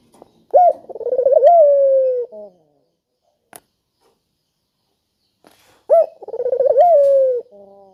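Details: Spotted dove giving a melodious, sharp call, used as a lure to get quiet doves calling: a short upslurred note, a rapid rolling stutter, then a long, slowly falling coo. The phrase is given twice, separated by a silent gap with one faint click.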